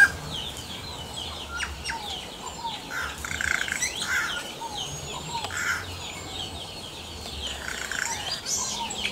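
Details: Yellow-rumped cacique (Cacicus cela) singing in the wild: a busy jumble of liquid whistles, sharp clicks and short downslurred notes at mid to high pitch, with other birds chattering in the background.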